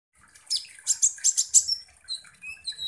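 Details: Sunbird, locally called kolibri ninja, singing a lively song used as a lure to provoke other birds: bursts of high, buzzy chirps and trills, then thin rising whistled notes.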